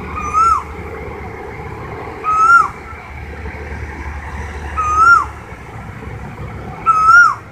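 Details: An Asian koel (Eudynamys scolopaceus) in a village tree gives a clear, rising two-note call, repeated four times about every two and a half seconds, with faint high chirps and a low background rumble.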